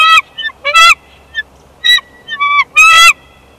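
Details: Wild bald eagles at a Big Bear Valley nest during an incubation switch, 1 March 2021; loud, shrill, harmonic squealing calls repeated in quick succession, some rising and others falling.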